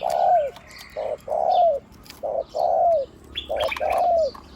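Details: Spotted dove kept as a decoy for ground, branch and trap-pen use, with a big one-kuk voice: steady series of short coos each followed by a longer coo that slurs downward, about once a second, distant chirping birds.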